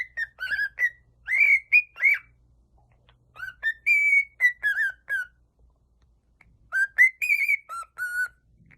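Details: Pet cockatiel whistling clear rising and falling notes in short broken phrases, some warbled and some held, with a few pauses and a faint low hum underneath.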